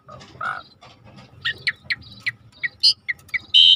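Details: Asian pied starling singing, played as a lure to trigger song in a bird that has stopped singing: short harsh chattering notes and brief bright whistles, ending in a loud sustained whistle.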